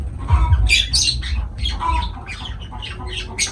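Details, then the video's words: Pet lovebird parrots chatter rapidly, with quick scratchy squawks and thin high notes tumbling one after another. "Love birds voice sound"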